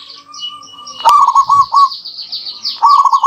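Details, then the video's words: Local zebra doves in an answering duet used as a lure: after a sharp click, a stuttering cooed phrase rolls out, followed by another near the end, over a steady wash of high twittering from other birds. "Duet Perkutut Lokal Gacor Saling Bersahutan, Pancingan Double Manjur"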